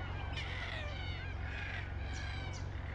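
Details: Red-tailed black cockatoos giving drawn-out, rolling, grating calls with a wavering pitch, a few in sequence, heard over a loud, constant low rumble.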